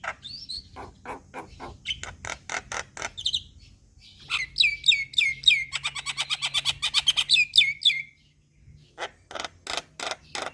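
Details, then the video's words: Starling calls played as a lure to draw starlings such as Asian pied starling, Javan pied starling and hill myna to respond: bursts of sharp repeated chirps and fast rattling notes around a loud harsh chattering sequence, with brief pauses between phrases. "Pancingan Semua Jenis Burung Jalak | Jalak Kebo Jalak Putih / Jalak Nias Langsung Respon"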